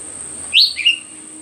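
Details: Myzomela recorded on 25 December 2022 during a behaviour observation: two brief, sharp, high chirps in quick succession, the second slurred downward. A steady, thin, high insect whine runs beneath throughout.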